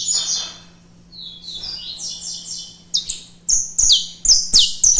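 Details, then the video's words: Captive mutation saffron finch, still afraid of the phone, sings bright high chirps and sharp notes, some buzzy and trilled, in quick irregular bursts over a faint low hum. "CANÁRIO DA TERRA mutação difícil filmar cantando"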